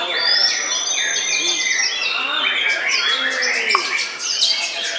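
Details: White-rumped shama, bowing deeply as it sings, pours out a continuous fast medley of whistles, opening with a long high sustained note and followed by buzzy, tumbling phrases and quick sharp chips.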